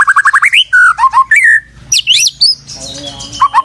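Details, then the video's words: White-rumped shama song used as a masteran tutoring recording for training cage birds: a quick run of rising whistled notes, then slurred downward whistles and high sharp trills, with a short break of quieter chatter. "Masteran Burung Murai Batu"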